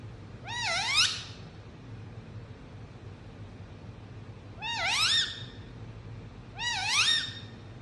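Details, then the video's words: Pet Indian ringneck parrot chirping inside a room, with three tonal, ringing calls that swoop upward with a wavering middle. One comes early and two follow close together after a long pause, over a faint low background hum. "Indianringneck Chirping Sound"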